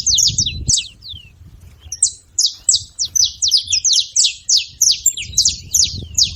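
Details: Noisy saffron finches: rapid, high, descending chirps in overlapping runs, nearly continuous after a short pause, with a low rumbling background noise.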